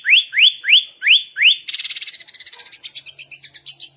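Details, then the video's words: Sooty-headed bulbul in full, lively song: five quick, bright upslurred whistles, about three per second, then a fast, high buzzy chatter. "Burung Kutilang Gacor Ngegaruda"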